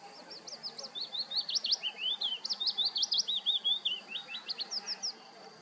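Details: A willow warbler sings in a nature reserve: sweet, high whistled notes in quick succession slide downward in a soft cascade, then start high again, over a faint rural hiss.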